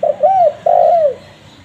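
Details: Spotted dove (tekukur) call used to attract wild doves. A quick double note, a curving coo, then a long, loud hoot falling away at its end, over light background hiss.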